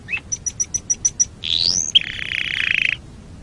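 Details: Canary master song for training other birds: a short slurred note, a row of evenly spaced high ticking pips, then a rising whistle into a long buzzy, slightly lower trill.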